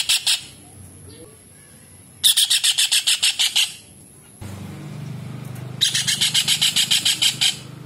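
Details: Kingfisher (tengkek udang) calling loudly, used to tutor songbirds: brief chattering notes, then a rapid rattling series of harsh repeated notes, a pause with low rumbling background noise, and another fast harsh series.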